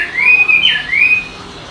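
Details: Songbird giving a clear, drawn-out whistle that rises, dips sharply, then climbs again into a second long whistled note before fading.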